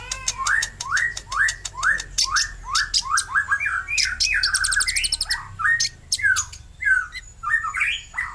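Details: Sunbird in lively, vigorous song: rapid series of sharp squeaky notes, each sweeping downward, delivered about three per second, with a burst of higher buzzy twittering in the middle.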